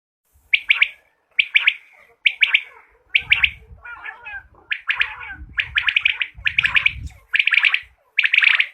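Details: Quail call used for quail hunting, given as a series of short bright burst notes repeated roughly every second, each with a rapid rattling texture. Low rumbling noise is present underneath in the middle of the series.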